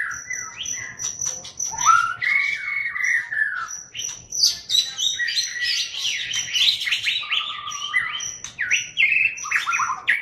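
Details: A Medan-type white-rumped shama pours out loud, varied song: rich whistled slurs, rising phrases and bursts of fast, thunderous rattling chatter, over a steady thin high tone.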